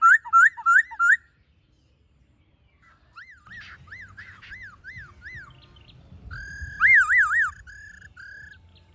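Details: Black-throated laughingthrush singing to lure wild birds: bright zigzag whistles, a quieter run of peaked whistled notes, then a loud wavering phrase with faint background rumble.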